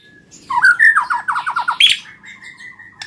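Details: White-rumped shama song meant to lure reluctant shamas into singing: a fast descending series of slurred notes, then a sharp high note, ending in a softer level whistle, with faint room noise.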